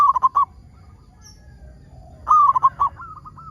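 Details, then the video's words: Lively local zebra dove singing to draw other zebra doves into song. Two quick clusters of clipped, bubbling coos, the second trailing off into a fading series of softer notes, with a low rumble underneath. "PERKUTUT LOKAL GACOR SUARA PALING AMPUH UNTUK PANCINGAN BURUNG PERKUTUT AGAR BUNYI"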